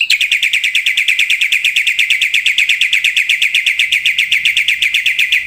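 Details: Black-winged myna delivering a long, steady rattle of rapid buzzy notes, roughly six per second, loud and unbroken throughout.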